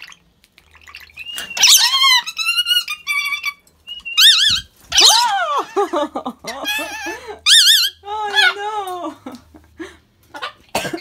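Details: Rainbow lorikeets dancing with a water bottle chatter in a busy stream of squeaky, warbling, harmonic-rich notes, wavering and buzzy, with brief pauses and faint low knocks.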